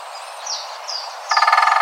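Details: A wild great spotted woodpecker (Dendrocopos major) gives rapid territorial drumming in forest: an even wooden roll of about a dozen strikes in half a second, after a few thin, high chirps from other birds.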